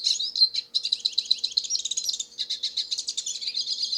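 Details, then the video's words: A wild black-headed pintassilgo sings freely outdoors. It gives a continuous, very high, chattering warble of quick twittered notes, tinkling trills and buzzy fragments with no real pause. "O canto do pássaro silvestre pintassilgo"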